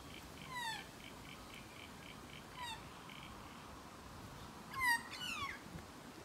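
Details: Close encounter with a magpie: soft, falling mewed calls, then a louder, sharper double call, over a faint steady pulsing tone.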